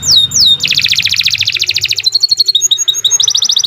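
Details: Canary singing gacor panjang for masteran: two falling whistled slurs, then a rapid chattering trill of dense notes, shifting into quicker, higher tinkling repeated notes.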